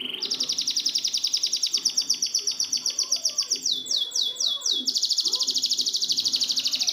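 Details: Canary song used as a training recording for canaries that have stopped singing: a fast, even high trill of repeated notes, then a short run of slower downward-sweeping notes, then another rapid rolling trill.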